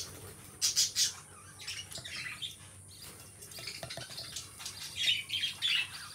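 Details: Two pet lovebirds chirping softly, with thin high twitters and a few louder squeaks against a steady background hiss.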